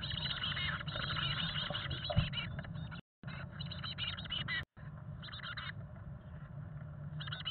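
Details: Chickadee nestlings inside a nest box on fledging day, day 18 after hatching on May 17, 2022, while parents feed them: dense, rapid high chattering calls in overlapping bursts with steady low rumbling and scratching, two brief dropouts.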